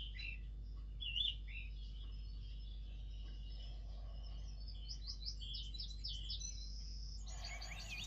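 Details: Young red kites near their nest. They give faint, wavering, high whistled notes, first in short bursts and then in a longer run of quivering whistles. A sudden broad burst of noise ends the passage near the close.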